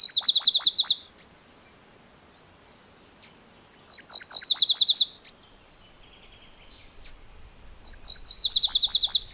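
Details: Three songs from a MacGillivray's warbler, each a lively burst of rapid, high, twinned chirping notes that drop slightly in pitch toward the close, with quiet gaps and light background hiss.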